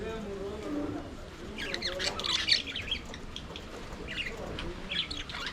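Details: Budgerigars singing and playing inside an aviary: a murmuring low warble, then a run of scratchy high chirps and squawks around the middle, fading to scattered calls.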